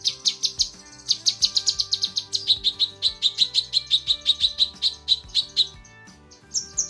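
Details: Female lesser green leafbird calling the male, pouring out a long chatter of sharp high chips, some rapid and buzzy, others spaced about four a second, ending in a brief pause and a few more notes.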